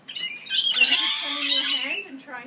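Lorikeets give harsh, grating screeches that run continuously for about two seconds, with a low human voice murmuring underneath.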